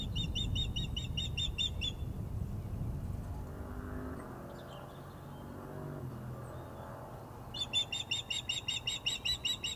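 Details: Female osprey on the Glaslyn nest, 14 April 2021, calling unhappily at an unringed male that had landed on the perch. Quick strings of sharp, piping yelps come at the start and again near the end, with a quieter windy gap between.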